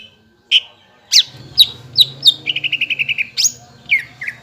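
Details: Greater green leafbird song used to provoke other leafbirds into singing: sharp high chirps, then a rapid run of about ten even buzzy notes, ending with downslurred whistles.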